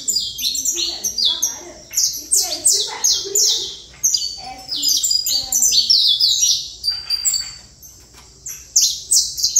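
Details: Saffron finch delivering Trator song, dense series of loud, high descending chirps repeated several times a second, broken by short pauses, faint low sounds beneath.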